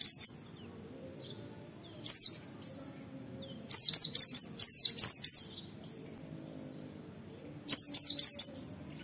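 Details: Oriental white-eye training recording with "wit wit" calls: isolated sharp notes, then a rapid burst of six high, downslurred whistles, and later a group of three more.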